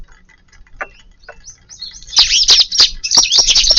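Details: A flock of Eurasian tree sparrows arriving at a garden for their midday meal on March 13: a few sparse, faint chirps at first, then a sudden burst of loud, dense, overlapping high chirping from many birds.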